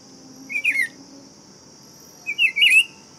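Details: Buff-throated Saltator (Tempera-viola) song: two brief, slurred, warbled whistled phrases about 1.8 seconds apart, the second slightly longer, over a steady high-pitched continuous hum that runs throughout.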